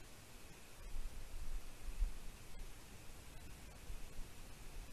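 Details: Low wind rumble and soft static hiss, rising and falling gently with a few faint clicks, and no animal calls.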